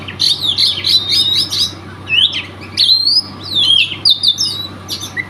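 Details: Oriental magpie-robin from Riau province, unbeaten in provincial-level audition contests, delivering a fast run of repeated chattering notes followed by varied upslurred and downslurred whistles over a low steady hum.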